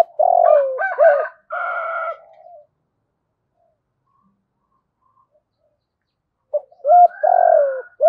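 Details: Decoy spotted dove calling in the thổ voice, repeating its cooing phrase twice with a long silent gap between. The coos sound full and resonant, with a buzzy drawn-out middle note.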